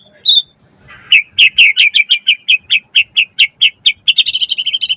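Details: Lure song of a white-rumped shama singing hard, meant to provoke other shamas into replying and for tutoring young birds: one high note, then a steady string of about fifteen sharp chirps that speeds into a fast trill.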